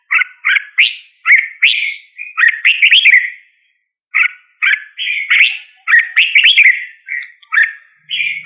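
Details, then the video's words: Singing red-whiskered bulbul gives lively warbled notes in short groups, each phrase rising and falling. Gaps of about half a second separate the bursts, with one longer pause midway. "Red whiskered Bulbul Singing Call Sound | Red whiskered Bulbul Bird Singing"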